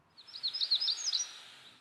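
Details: A Magnolia Warbler in Maine during the nesting season sings its weak song, a brief soft phrase of about six high, slurred whistled notes lasting about a second, with the last note sweeping higher.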